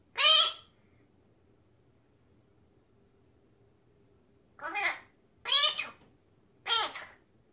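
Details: Talking pet magpie, a male that copies human phrases such as "peach come here"; one rough, speech-like burst, a four-second pause, then three more quick harsh syllables, with no other sounds.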